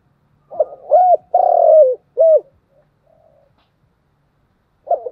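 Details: Spotted dove cooing continuously, thúc gù: quick arched notes leading into a long, smooth, slightly falling coo and another short rounded note, then quiet before a new phrase begins.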